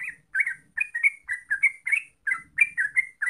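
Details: Yellow-vented bulbul singing short liquid, slightly rising warbled notes, about three or four per second, with a faint low rumble behind.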